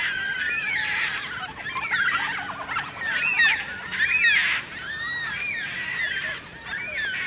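A large flock of yellow-tailed black cockatoos calling together, a dense overlapping chorus of drawn-out, wavering, mournful wails that rise and fall without pause.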